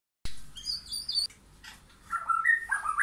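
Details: White-rumped shama in a backyard forest visited by wild and caged birds; high thin whistled notes near the top of its range, a pause, then lower fluid warbling phrases.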